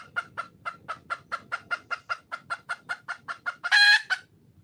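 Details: Wild junglefowl hen calling for a male. About seventeen short, even clucks come at roughly four per second, then one louder, longer, harmonic squawk closes the series. Faint rustling underneath.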